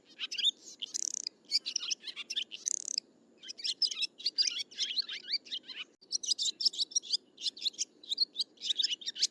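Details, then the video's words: Swiftlets chirping in dense bursts of high, rapid twittering notes, clustered in runs with a short pause near the middle, over a faint low hum. "ສຽງນົກແອ່ນ2024-2025 เสียงนกแอ่น2024-2025"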